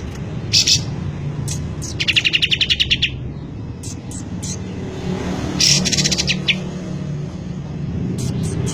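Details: Cotton bird singing energetically: scattered piercing high chirps and a fast buzzy trill of repeated notes, against steady traffic rumble.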